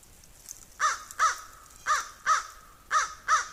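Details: A crow calls noisily while a squirrel pursues a raven, giving six harsh, nasal caws arranged in three pairs, the two calls of each pair close together.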